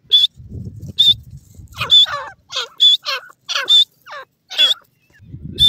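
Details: Female francolin (teetar), wild, vocalising as young birds fight: high, clear whistled notes repeated about once a second, alternating with lower scratchy descending calls, with faint low rumbling at the start and end.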